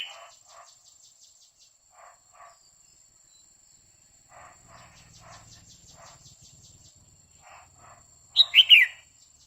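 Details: Female red-whiskered bulbul singing continuously to excite a male: soft paired chirps repeated at intervals, then a loud, sharp burst of three quick high notes near the end, with a steady faint high tone behind.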